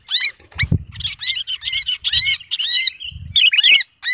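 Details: A Sooty-headed bulbul shrieks as though held, used as a lure to draw other bulbuls. Rapid run of rough, bent squeals merging into a continuous harsh chatter, with a sharp knock and low handling rustle.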